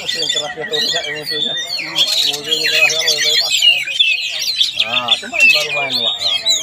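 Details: Singing Oriental magpie-robin at a Palembang test event, rapid scratchy and whistled phrases layered over prominent human voices and chatter from the crowd.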